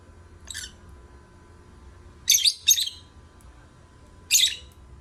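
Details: Lovebird song of shrill, buzzy high chirps: a faint one first, then a quick pair and a final loud chirp, irregularly spaced over a few seconds, with a low steady background hum.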